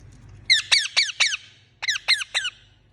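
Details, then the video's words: Pet Indian ringneck parakeet, a talking parrot, giving harsh, downward-slurred chirps in two quick bursts, four notes then three, with a brief pause between; faint low hum underneath. "Talking Parrot Chirping Sound"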